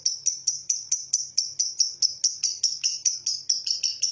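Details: Lovebird ngekek given as a lure recording to prompt other lovebirds to sing. High, clipped chirps repeat quickly, roughly five per second, in a steady chattering series.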